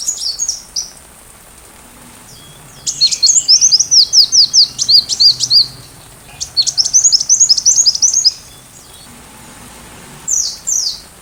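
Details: High sunbird song meant for teaching a white-rumped shama: two bursts of rapid, evenly spaced sharp notes, each lasting a few seconds, with short pauses and a brief fragment at the end.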